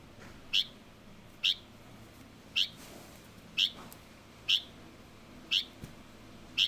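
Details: Young Light-vented bulbul calling steadily: seven clipped, high chip notes, roughly one per second, with faint softer sounds in the background.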